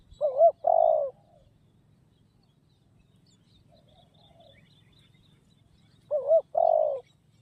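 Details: Spotted dove cooing: two phrases, each a quick double-noted lead-in followed by a longer, burry, mid-pitched coo, at the start and again after a six-second pause; faint high chirps from other birds behind.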